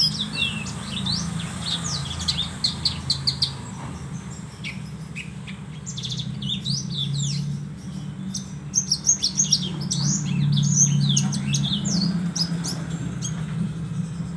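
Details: Horsfield's bush lark song: rapid bursts of high, sharp chirps and twittering notes, pausing mid-clip and then resuming in a denser, buzzier run, over a steady deep rumbling hum throughout.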